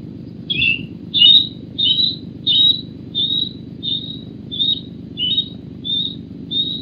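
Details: Osprey (Pandion haliaetus) at Loch Garten, Scotland, alarm screaming as a bird lands flapping with a fish: about ten sharp, high, whistled cries, one roughly every two-thirds of a second, over a steady low wind rumble.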